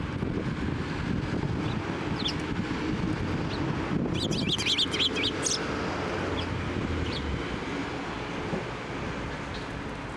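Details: Eurasian tree sparrows flying onto a hand for food at a Tenmangu shrine on 7 November 2023; a lively cluster of rapid chirps for about a second and a half amid loud, rumbling outdoor background noise.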